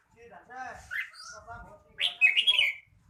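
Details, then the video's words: Red-whiskered bulbul song: a loud, bright warbled phrase in the second half, following murmured human voices and a softer chirp. "chào mào hót"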